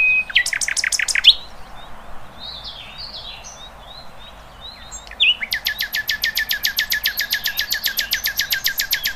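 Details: Wild birds singing in the open: a short burst of rapid high notes, a pause of soft scattered chirps, then a long fast series of sharp high notes repeated about four times a second until the end.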